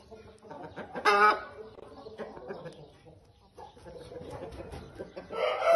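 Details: Wyandotte chickens kept in Pakistan: a short harsh squawk bursts out near the one-second mark, with soft clucking murmurs underneath and a second loud rasping call at the very end.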